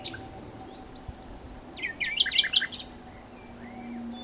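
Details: A nightingale gives soft high whistles, then a short loud cluster of harsh, buzzy stacked notes, followed by a quiet rising whistle; steady low electrical-sounding hum throughout.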